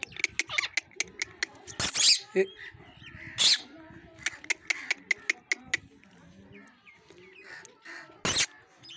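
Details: A pet green parrot called Mithu chatters in a string of sharp clicks, short speech-like syllables and a few loud, harsh squawks, while a person briefly speaks to it about biting.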